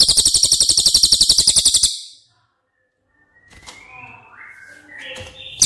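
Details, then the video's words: Cililin song used as training audio for caged White-rumped shamas: a high, rapid, evenly pulsed trill of about four notes per second lasting two seconds, then silence and faint rustling with a short rising whistle. "Masteran CILILIN Materi Wajib untuk Burung Murai Batu anda!!"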